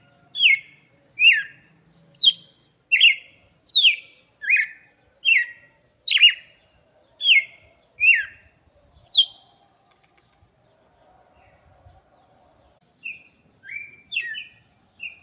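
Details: Red-cowled cardinal song, played for chicks: a run of about eleven loud, slurred whistled notes, each sweeping down in pitch, spaced under a second apart, then a short pause and a few softer, higher notes near the end.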